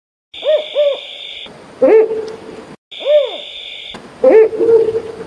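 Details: Mottled wood owl, found in peninsular India, the Western and Eastern Ghats and central India, giving two short arched hoots then a longer wavering quavering note; the sequence plays twice, with a steady high hiss behind.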